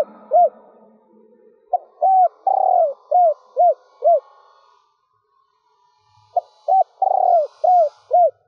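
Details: A female spotted dove coos to stimulate males to call, in a stuttering three-part style. Rapid bursts of short, low, hollow coos repeat in choppy runs of four to six, broken by a pause, over faint background hum.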